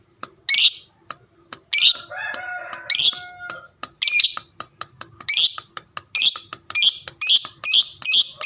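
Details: Lovebird of the fighter type, kept as a pet, calling to provoke other lovebirds to answer: loud shrill high chirps repeated roughly once a second, with a brief lower buzzy passage in between and sharp clicks throughout.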